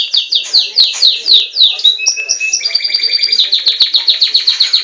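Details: Captive-bred Belgian canary singing loudly, possibly trying to outdo a recording of its own song. Bold downward-swooping whistles repeat about four times a second, then give way to rapid even trills and quick chattering notes.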